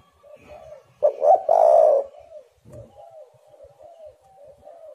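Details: A spotted dove gives a lure call meant to prompt other doves to call: one loud phrase of quick rising notes running into a sustained coo, followed by a series of quiet, gently falling coos.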